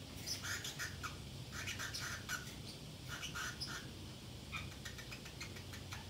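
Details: Pacific parrotlet kept as a pet, alone at home and chattering to itself with short harsh squawky notes, given in small clusters about once a second, with faint high clicks against a low background hum.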